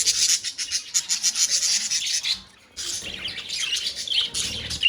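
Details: Colony of budgerigars chattering: busy high-pitched twittering and raspy chirps pour out almost without pause, broken by one short lull in the middle before the chorus resumes.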